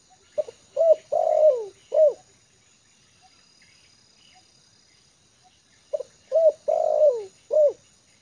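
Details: A trained decoy spotted dove, settled and comfortable on the ground in a yard, gives two low cooing phrases about six seconds apart. Each phrase has a short note, a hooked coo, a long falling croo and a final coo, with faint chirps behind.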